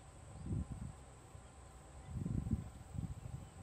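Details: Stripe-backed bittern (Ixobrychus involucris), one bird perched on reeds at the edge of Laguna de Monte, Buenos Aires, Argentina, on 3 February 2018, gives three low, guttural croaking bursts about a second apart over a faint hiss.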